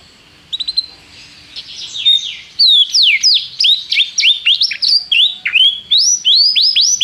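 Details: Canary singing as a tutor recording for training a young canary: high, bright song of rapid whistled sweeps and trills, many notes sliding up and down in quick succession, growing louder and more continuous after a soft start.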